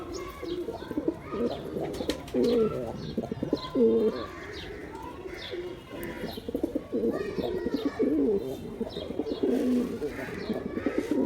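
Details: Busy chorus of male pigeons: overlapping low coos and throaty rolls fill the scene, with occasional faint chirps and clicks in the background.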